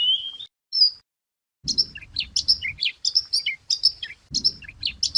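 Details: White wagtail singing for use as a lure: a high wavering whistle, silence, then a rapid, irregular twitter of sharp chirps and quick slurs, with low knocking sounds.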